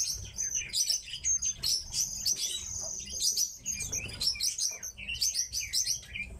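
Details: Several kept pet tits give busy, high, thin chirps and short trilled notes in quick bursts every second or so, over a faint low background hum.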